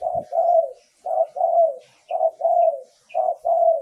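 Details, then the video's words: Clear luring song of a spotted dove: four phrases repeated roughly once a second. Each is a short coo followed by a longer, steady, slightly falling coo, with faint higher chirps between them. "เสียงต่อนกเขาใหญ่ เสียงชัด"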